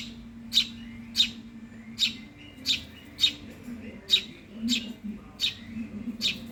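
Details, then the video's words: Hungry Eurasian tree sparrow chick begging: short, high, harsh chirps repeated roughly every half to one second, with a steady low hum underneath. "suara anak burung gereja lapar"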